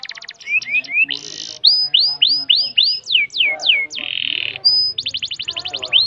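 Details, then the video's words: Canary in long-breath song: short rising chirps, a buzzy burst, a series of swooping whistled notes, another buzz, then a quick trill of sharp repeated notes. "Burung kenari dengan nafas panjang - kicauan burung"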